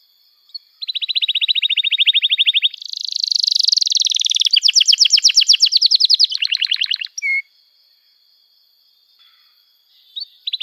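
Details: Canary song for teaching juveniles: a sustained fast trill, a loud buzzing churr, then coarse rattling phrases and a short note, followed by near silence and a faint restart.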